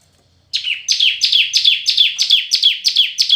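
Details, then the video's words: Red-whiskered bulbul in competitive singing delivers a long, steady string of about eight bright notes, each dropping in pitch, repeated roughly three times a second. "Chào Mào Hót Đấu"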